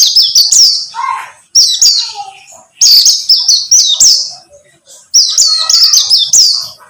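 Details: Buxtomi white-eye song used as a lure to prompt a bird to sing: bursts of high, thin, downslurred chirps strung rapidly in groups of four or five, separated by short pauses, with faint softer notes between.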